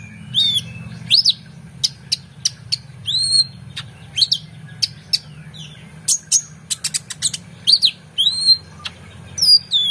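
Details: Lively oriental magpie-robin song for training competition birds, a long run of very high sharp ticks and chips interspersed with looping whistled notes that rise and fall, delivered in fast irregular bursts over a soft low hum.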